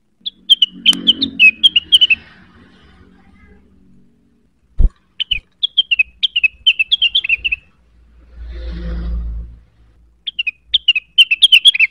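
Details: Cucak wilis singing gacor and neritik to find a rival: three bursts of quick, high chattering whistles with pauses between them, a click, and a low rumble in the middle.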